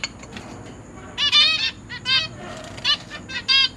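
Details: Young zebra finches and parents in a cage, September 2023, while the newborns are fed: a loud burst of overlapping harmonic calls, followed by several shorter nasal notes at uneven intervals, a steady high whine beneath.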